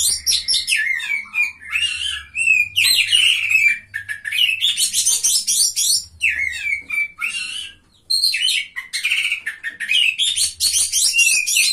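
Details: A contest-winning Oriental magpie-robin, placed third, recorded 17 April 2023, sings nonstop in loud, high, varied phrases of sweet whistles mixed with scratchy chatters and rapid trills, with a faint low hum beneath.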